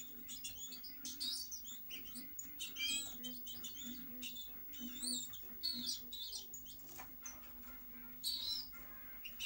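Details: Quieter goldfinch song amid background hiss: scattered bright twittering phrases and quick chirps, in irregular bursts separated by short gaps, with a steady low hum.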